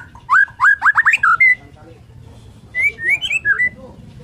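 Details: Borneo white-rumped shama in morning song, said to draw other shamas into singing: a fast series of rich looping whistles, a pause, then softer varied whistled notes.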